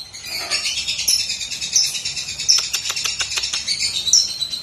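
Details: Cucak kinoi, the lesser green leafbird, in a clear master song for songbird training: a dense, continuous stream of high chattering and squeaky notes with a few sharp clicks.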